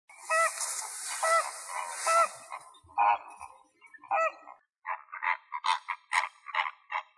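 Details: Flamingos somewhere in Greek nature give nasal, goose-like honks over a steady hiss of wind or water, then many overlapping calls from the flock build into a busy, gabbling chorus.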